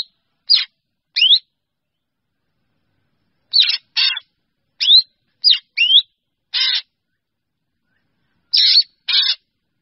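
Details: Drongo summoning its flock: clipped rising whistles and scratchy buzzes in irregular clusters of two or three over ten seconds, with no other sound.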